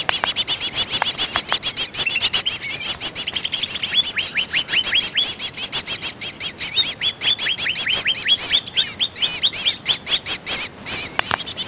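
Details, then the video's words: Lure call of the greater green leafbird for trapping birds: a dense, fast run of high chirps and short whistled notes, busy and chattering throughout, with brief gaps near the end and nothing else audible. "suara pikat burung cucak ijo paling ampuh"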